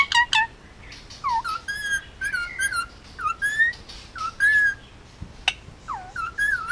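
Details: Male pet Indian ringneck, hand-fed, almost two years old, living on Oahu, Hawaii, producing a long run of clear whistled notes, many swooping up or dipping down, repeated rapidly with one sharp click near the end.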